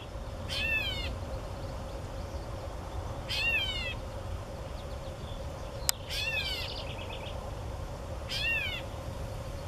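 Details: A male Gray Catbird gives four harsh, cat-like mews to attract a mate, each a quick downward slur, about every two to three seconds over a steady low hum and a single sharp click.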